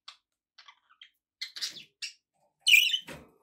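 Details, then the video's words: Domestic budgerigars give short, high twittering chirps, a few soft scattered notes building to a loud, scratchy burst near the end, followed by a faint low thump. "relaxing budgie sounds"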